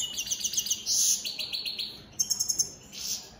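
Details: Captive opal split satinette European goldfinch in fast song, rapid chattering twitters and a bright buzzy trill, then a short series of sharp staccato notes.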